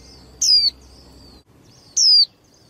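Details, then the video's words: Two loud, piercing downslurred notes from a young female white-eye, a bird used to excite males in singing contests. Faint, thin high twitters fill the pause between them. "KHUYÊN MÁI TƠ - Kích Trống Líu Đấu Sung Hơn Mỗi Trận"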